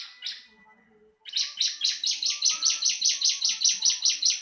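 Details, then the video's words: Bar-winged prinia singing, possibly caged: after a brief opening note and a pause, a steady train of harsh, buzzy high notes at roughly four per second runs to the end, over faint low twitters. "Marteran burung ciblek langsung bunyi"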